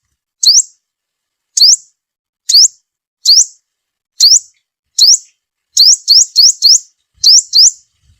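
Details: Sunbird call used to lure birds into traps: high, sharp upswept chirps, evenly spaced at first, then bunched into quick runs of three and two.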